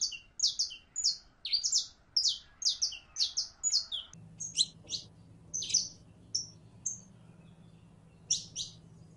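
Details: A female canary in heat, calling to a male for mating, gives fast, high, buzzy chirps in a steady series, slowing to scattered single notes as a low hum sets in.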